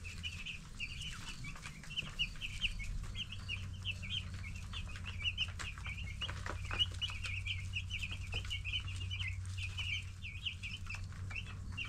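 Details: Flock of ten-day-old baby broiler chickens. A dense, continuous chorus of high, short peeping chirps runs throughout, several birds at once, over a steady low droning hum and occasional soft clicks and thumps.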